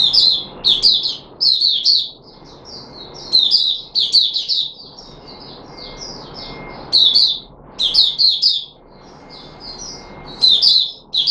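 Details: Red-whiskered bulbul, known as Puteh Raja, kept as a cage bird and recorded on 13 April 2021. It sings bursts of bright, warbled whistled phrases separated by short pauses, with a faint steady hum underneath.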